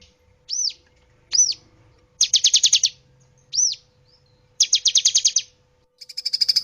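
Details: Cinereous tit song from a training recording meant to get other birds singing: isolated high arched whistles alternating with fast, evenly pulsed high chatters, ending in a steady buzzy trill, with quiet gaps between phrases.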